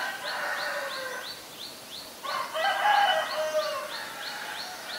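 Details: In Ubon Ratchathani, Thailand, on 17 April 2022, a black-collared starling utters grating, throaty calls: one long harsh burst, a pause, then a louder, longer scratchy phrase. Steady high chirps repeat in the background, roughly three per second.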